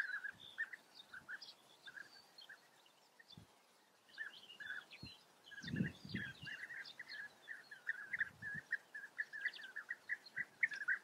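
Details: European bee-eater calls, short rolling notes in a mid-pitched band that grow denser and louder after a quiet stretch, with scattered higher chirps and low knocking sounds in the background.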